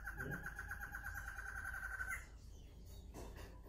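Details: Barred antshrike (Thamnophilus doliatus), a male and female pair doing a tail-shaking display, heard close up: song is a rapid, steady run of hollow, nasal notes for about two seconds, over low rumbling background noise.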